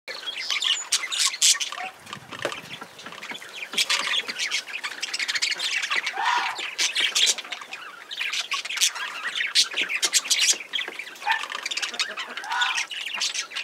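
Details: A cockatiel outdoors gives harsh squawks and bright chirps, mixed with a few short whistled notes that bend up and down.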